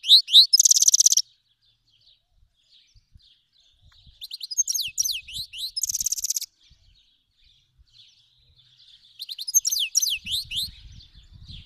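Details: Song of an Iranian goldfinch, a Himalayan and black-headed cross from Fars province, Iran, used for teaching young birds: three bursts of high, twittering, sweeping notes with buzzy trills, separated by pauses, with faint low rumbling late on.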